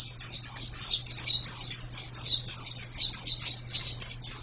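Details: Quick series of high, sweet falling notes from a white-eye, about four a second, steady and loud over a faint hum.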